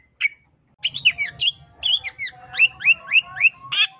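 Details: Long-tailed shrike singing a lure song meant to make other shrikes respond. It opens with a single note and harsh chattering, then gives a run of five quick rising whistled notes, then a final buzzy burst.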